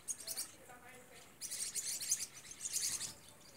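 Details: Green-rumped parrotlets in a group at Vale do Rio Real: a short burst of sharp chirps, a brief lull, then a louder rush of buzzy, overlapping twitters from about midway.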